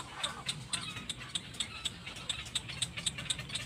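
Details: Little black cormorant mother and chick: thin, high squeaky notes repeated about four times a second in an uneven run, over a low engine-like rumble.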